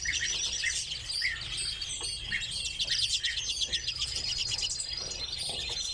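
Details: Several captive redpolls call together in an unbroken, high, jingling chatter of trills and chips, with a drawn-out buzzy note near the end.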